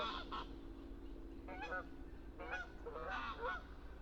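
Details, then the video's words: Canada goose in the wild giving a run of nasal honks, several overlapping calls in quick succession, with low background rumble. "Canada Goose Sound – Song & Bird Calls"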